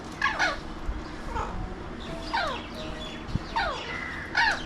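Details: Alexandrine parakeets, also called mountain or pahadi parrots, watched from a window in Mumbai, India: harsh, downward-sweeping squawks in short bursts of about four calls over five seconds, with faint city background noise.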